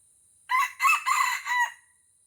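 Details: Crowing wild junglefowl cock, Aceh, Indonesia, lured down to battle a decoy rooster: four choppy, raspy syllables run together over about a second, the last drawn out, with a faint high insect hum behind.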